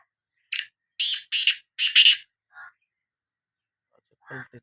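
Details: Sindhi black francolin calling its bulai: a phrase of five harsh, grating notes, the last pair joined, followed by a softer lower note and a short rough sound near the end.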